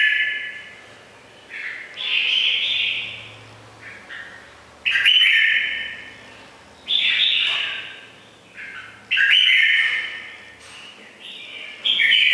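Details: Red-whiskered bulbul of the củ đậu type with a ringing, bell-like voice, repeating loud, bright warbled phrases of about a second each, several times with short gaps between them.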